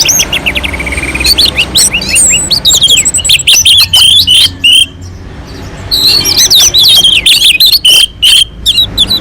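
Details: Orange-headed thrush on a mountain slope, singing melodiously and nonstop as a lure to prompt other birds to sing: rapid, varied whistled phrases and sharp high chips, with a steady rising run of notes early, then dense bursts and a brief pause.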